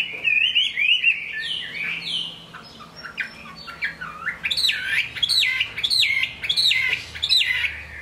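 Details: Kept Chinese hwamei singing in the rain. Warbling, slurred notes give way to a run of loud, evenly spaced, upswept whistles, each roughly two-thirds of a second apart.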